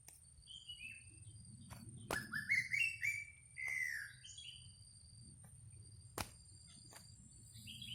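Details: Greater racket-tailed drongo song used as a decoy: a burst of clear whistled notes sliding down, then rising, then level, mostly mid-high, set among softer chirps, with two sharp clicks and a steady high background tone.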